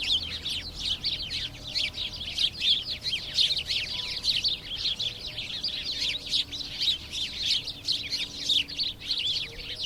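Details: House sparrows, locally called cusfuur, chirping together: a dense, continuous stream of high, sharp overlapping chirps with no pauses, as from a busy flock.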